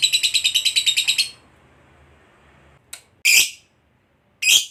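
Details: Competition lovebird of the fighter kind gives about a second of fast, regular trilling, falls silent, then lets out two loud, harsh squawks separated by a pause.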